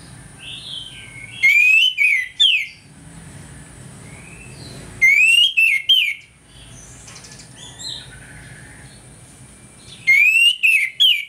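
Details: Orange-headed thrush giving its morning 'ngeplong' song as an aggression lure: the same loud whistled phrase of rising and falling slurs repeated three times, roughly every four seconds, with soft other bird notes between.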